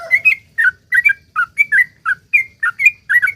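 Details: Fast, lively sooty-headed bulbul song of the long 'ropel' type used to make other bulbuls call: ringing whistled double notes, some rising and some falling, delivered in a quick even run.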